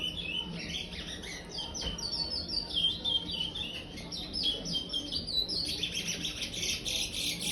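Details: Praia-style song from a five-month-old chestnut-bellied seed finch still in brown plumage: fast, bright, tumbling high notes, chirps and slurred whistles repeated continuously, growing fuller toward the end, with low background hum.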